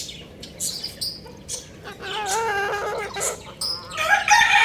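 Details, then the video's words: Young rooster playing on a roof, giving a drawn-out harmonic squawk of about a second, wavering in pitch, followed by a harsher burst, amid sharp high chirps from other birds. "Adorable Young Rooster Chirping Sounds"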